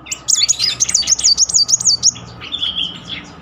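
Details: Lure recording of a Van Hasselt's sunbird in rapid 'nembak beruntun' style: an unbroken run of fast, shrill, high chattering notes, then a softer, lower twittering phrase.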